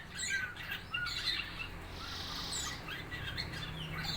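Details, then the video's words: Young red-eyed fig bird, four months old, practising its chirping: scattered thin, high chirps and short twittery notes, some rising, over a steady low mechanical hum. "burung ara mata merah umur 4 bulan belajar ngeriwik"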